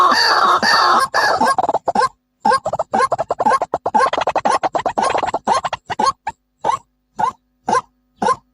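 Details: White-breasted waterhen, male and female, recorded for bird trapping: loud, harsh, croaking notes in rapid irregular bursts of about two per second, thinning into spaced single calls near the end.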